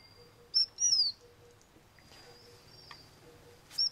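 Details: White-browed Shortwing (Brachypteryx montana goodfellowi) recorded February 6, 2020, in Taichung, Taiwan, giving thin, very high whistled notes and a brief sliding phrase, with a pause before one more sharp note; faint background hiss.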